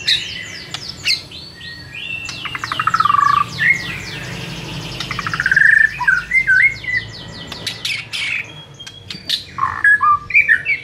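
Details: White-rumped shama song used as a training recording for captive birds: a long varied sequence of rapid trills, buzzy rattles and rich whistled slurs with sharp clicks between.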